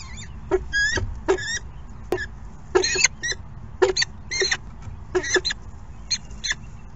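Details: Falcon chicks at their second morning feeding, giving harsh, squealing begging calls in short bursts roughly every half second, with some pauses between clusters; low background rumble throughout.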